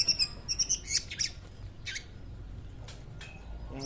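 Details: Long-tailed shrike (cendet) heard during a local residents' bird activity; a quick run of sharp, high chirps repeated about twice a second, then sparse scattered notes over a low background hum.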